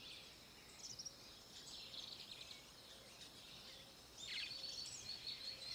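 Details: Grey-breasted martin (Progne chalybea) song near the RPPN das Araucárias Gigantes, Itaiópolis, Santa Catarina, Brazil: faint, rapid, high chirps and gurgling twitters in busy bursts, a louder scratchy run near the end, over steady hiss.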